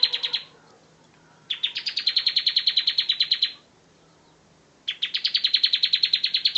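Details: Bar-winged prinia singing in the ngebren style: bursts of rapid, buzzy, high notes at about seven per second, each burst lasting up to two seconds and separated by short silences.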